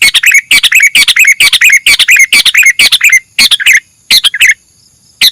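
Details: Sooty-headed bulbul (kutilang) chirping in a dense, rapid run of short chattering notes with curling, falling phrases, then sparser bursts and a pause near the end.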